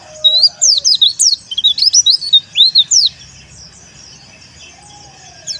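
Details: White-eye of the dakun wilis kind delivering teler-style song meant to call rivals. Three seconds of loud, rapid, high upward- and downward-sweeping notes, then quiet, with a soft, low, drawn-out tone underneath.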